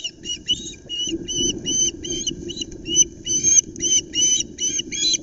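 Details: Osprey at a nest at Loch Arkaig pinewoods, Scotland, as a male arrives with a flapping flounder: a steady run of short, high, whistled chirps, about two or three each second, over a low rumble of wind.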